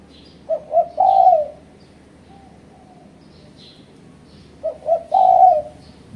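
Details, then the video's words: Spotted dove calling as a challenge lure for rival birds: two identical phrases about four seconds apart, each with two short soft notes leading into a drawn-out hollow coo, with faint higher chirps in between. "Suara Burung Terkuku Menekan Lawan Ampuh untuk Pancingan"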